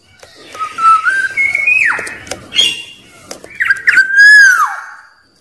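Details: Song of a wild black-naped oriole, used to provoke rival birds: flat, then rising fluty whistles, a steep falling slur, a short break, then a bright descending whistled phrase over faint background noise.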